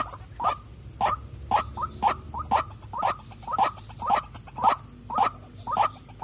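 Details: White-breasted waterhen, a female, repeating rough croaking calls in a regular rhythm of about two per second, often with a softer second note, over a faint steady hiss.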